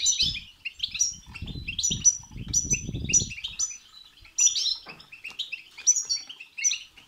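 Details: European goldfinch song used to stimulate a goldfinch's singing: quick twittering phrases and high tinkling notes, with a few seconds of low fluttering noise in the first half.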